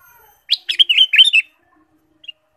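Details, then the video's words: A short burst of ruby-throated bulbul song, played to stimulate caged birds: a quick run of chirpy, bubbling notes lasting about one second, then a single faint note after a pause. "pancingan kutilang emas gacor full variasi"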